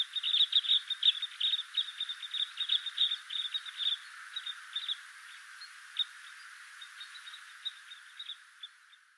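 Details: Red crossbills, drawn from far around to abundant spruce cones at Poľana, Slovakia, give a rapid, overlapping stream of sharp, high 'kip' notes, about three a second, busy at first, then thinning and fading away.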